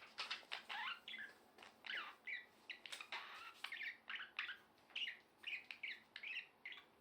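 A budgerigar warbles a fast, chattering song of scratchy chirps and squeaky notes.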